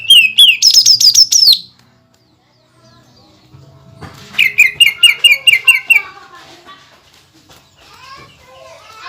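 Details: Greater green leafbird singing busily, showing off mimicked material and rapid tight bursts meant to provoke other leafbirds. Two loud runs of sharp, rapidly repeated notes, roughly five per second, split by a pause, then softer chirps with faint talking behind.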